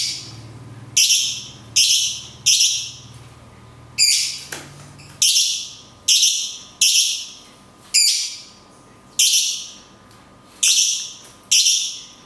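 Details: Cungkok long 'tembakan kunti' song with natural pauses, used for songbird training: a steady run of loud, harsh, fading chirped phrases, about one per second, over a low hum.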